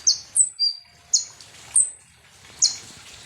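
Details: Konin, or kolibri ninja, a sunbird, in lure song for provoking birds: a few sparse, thin high whistles, some downslurred and one held flat, spaced about a second apart over soft background hiss.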